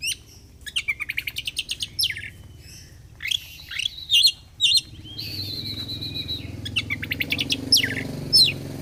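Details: Oriental magpie-robin in fighter-style song: fast stuttering rattles, buzzy chirps and a long held whistle over growing low rumbling background noise.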